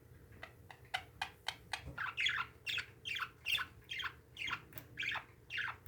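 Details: Indoor pet parakeets: soft chirps build into a regular string of loud, harsh, falling squawks, roughly two a second.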